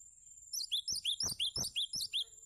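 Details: Cinereous tit song for tutoring other birds: evenly spaced high double notes, about nine in one and a half seconds, each rising sharply and dropping away, bright and emphatic, over a faint steady high-pitched whine.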